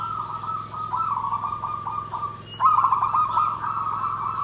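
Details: Zebra dove singing in a style called nggandem gedhe garing, a continuous run of quick pulsed cooing notes at one steady pitch, growing louder partway through, with a steady low hum behind.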